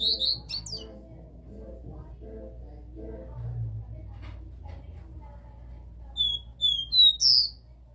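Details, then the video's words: Caged capped seedeater (caboclinho) giving the classic three-note song: a short high whistle at the start, then after a pause a run of clear whistled notes climbing in pitch, ending on a higher slurred note, over low background murmur. "CABOCLINHO CANTO DÓ 3 NOTAS CLÁSSICO Pra esquentar seu caboclinho"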